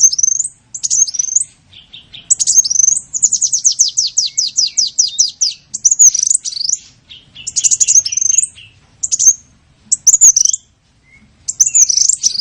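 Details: Small bird calls used as a lure: very high, sharp chirps and rapid trills, including a fast descending series of ticking notes, broken by short pauses.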